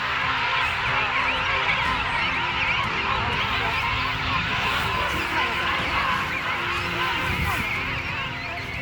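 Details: A very large king penguin colony of thousands of birds at Fortuna Bay, South Georgia: countless overlapping trumpeting and piping calls blend into a steady roar, with faint music underneath.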